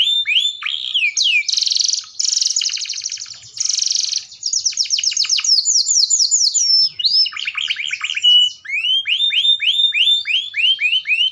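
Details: Singing canary in strong, continuous voice. It opens with rising whistles, then rapid buzzy rattles and a series of descending swept notes, followed by a brief chatter. It ends in evenly repeated curving whistles, several per second. No background noise.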